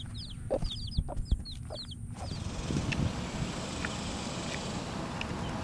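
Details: Chicks about a week old peep in a quick burst of high, thin, downward-sliding chirps, repeated rapidly for about two seconds. The peeping then gives way to steady low rumbling background noise with a few faint ticks.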